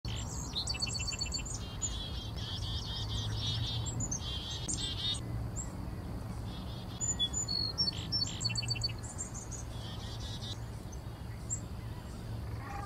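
Orchard oriole giving a rapid, jumbled run of high whistles and chattery notes in bursts, over a steady low hum.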